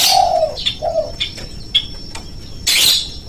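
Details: Spotted dove cooing used as a lure to make doves call. Two low coo notes open the clip, followed by scattered high chirps and a loud rushing burst near the end.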